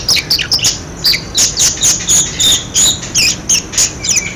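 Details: Budgerigar calling used as a lure for budgerigars that have stopped calling: quick, irregular bursts of high scratchy chirps and squawks, roughly three each second.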